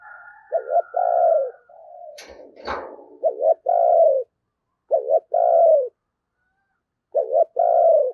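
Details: Spotted dove acting as a decoy to attract wild doves around Tết, repeating a rhythmic coo: a double clipped note and then a long falling hoot, given four times, with a brief knock and rustle in between.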